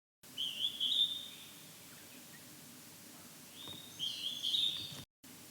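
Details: A wild Hodgson's hawk-cuckoo calls in fog. Two high, piercing two-part whistled phrases are separated by a quiet gap of about three seconds, with faint hiss behind them.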